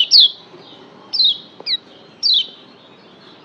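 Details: Lombok yellow white-eye tutor song for stirring caged birds into song: short high falling whistled notes repeated about once a second, each slurring downward, with a faint lower note between.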